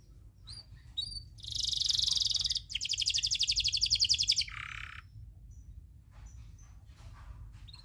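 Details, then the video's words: Local canary tutor song with long rolls: faint chirps, then a loud harsh buzzy roll, a pulsed rattling trill, and a lower buzz, fading to quiet scattered notes. "Masteran kenari loper ngerol panjang"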